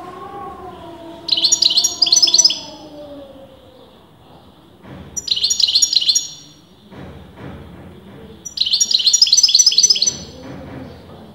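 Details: Caged European goldfinch, its sex debated by top breeders, singing in three separate bursts of fast, chattering high twitters spaced a few seconds apart, with a wavering low tone and faint rumbling between phrases.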